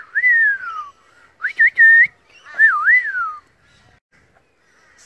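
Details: Pied butcherbird singing clear, fluted whistles: a long falling note, a few quick rising notes, then a wavering phrase sliding downward; the birds are described as flying and dancing.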